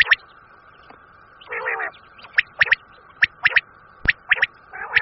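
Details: Common quail giving short, sharp liquid notes in quick clusters of two or three, repeated irregularly over a steady electronic hum, with one brief harsher gurgling burst. This is a quail call recording from Pakistan used to lure quail for hunting.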